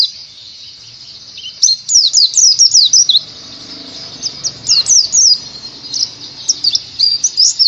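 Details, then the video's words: Oriental white-eye song played to teach other birds ngalas: after a quiet start, bursts of fast, high, down-slurred chirps alternate with short pauses, over faint background chatter. "PEMANCING PLECI BAHAN UNTUK BELAJAR NGALAS"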